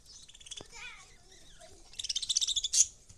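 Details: Lovebirds giving a few tonal, harmonic notes, then a fast run of about a dozen bright, high chirps that ends in a loud squeak.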